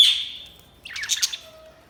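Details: A single budgerigar's long high whistled note, falling slightly, followed by a quick scratchy chirp burst.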